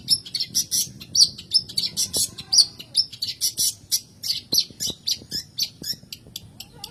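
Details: Cendet or pentet, the long-tailed shrike, singing in a recording used to coax quiet caged birds into song. Rapid, rhythmic run of harsh, scratchy chips and buzzy high notes, repeated about three times a second, with a few clearer whistled accents.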